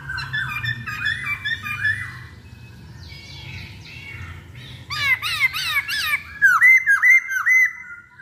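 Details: Masked laughingthrush singing on a lure recording: mixed warbled phrases and a quieter buzzy stretch, then a loud burst of rapid, repeated whistled notes, with a low background rumble throughout.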